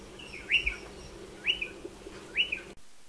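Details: Nesting in a dry stone wall, a striated pardalote repeats a bright rising note followed by a short drop, three times about a second apart, before the sound cuts off abruptly.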